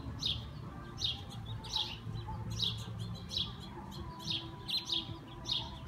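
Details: Several sparrows perched in a persimmon tree after hours of heavy rain, chirping as the storm clears: short, bright chirps about twice a second in uneven bursts, over a steady low rumble in the background.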